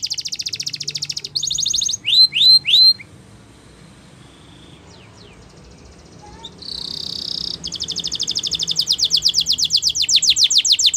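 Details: Canary training song: a varied sequence of fast buzzy trills, a few sweeping whistled notes, a pause, a sustained rattling tone, then a long rapid run of repeated high notes that grows louder toward the end.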